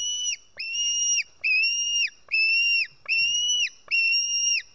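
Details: White-tailed eagle chick at a nest in Estonia, screaming while a parent feeds it fish, 4 July 2018 at 1:10 pm: six drawn-out, high whistled screams, level then dropping at the end, about one per second.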